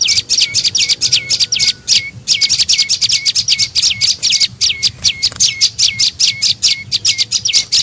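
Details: Lure call of the tailorbird known locally as prenjak lumut, for attracting birds. Rapid high chirps, each dropping into a brief lower tail, run in fast bursts with barely any gaps.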